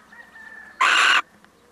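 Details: One coarse, explosive screech of under half a second from a male little owl on a visit, preceded by a faint steady tone, with quiet afterwards.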